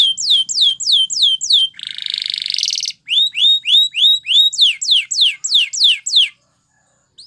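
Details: Canary song used to train canaries: evenly spaced falling whistles, a buzzing rattle in the middle, then more swooping whistled notes at a steady pace before a brief silence.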